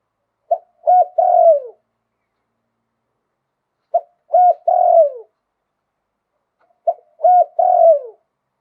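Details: Three evenly spaced song phrases of a spotted dove in Thailand, sung in the lui tan style with a wild-type voice, each built of a quick note, a coo and a long downslurred croon.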